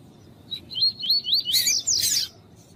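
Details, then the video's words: Tuí-tuí style double-collared seedeater singing alongside a calling female, meant to stir up males kept by tournament breeders: a brief note, then a series of rising slurred whistles merging into loud buzzy broadband chirps. "COLEIRO TUÍ-TUÍ COM COLEIRO TUÍ-TUÍ E FÊMEA CHAMANDO ESQUENTAR COLEIRO"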